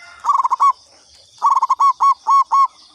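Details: Zebra dove of local Indonesian stock, a lure recording: a short burst of rapid bubbling coos, a pause, then a longer phrase whose final notes stretch into separate drawn-out coos, with a faint high buzzing drone behind.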